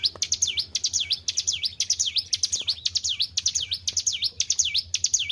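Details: Energetic song from a white-browed shortwing raised in captivity: repeated piercing V-shaped whistles, sliding down then sharply up, delivered roughly twice each second with steady rhythm over a low hum.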